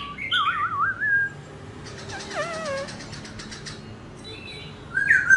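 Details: A dancing laughingthrush gives a loud run of looping, rich whistles, then softer wavering notes with faint clicks, and ends with one bright whistled phrase.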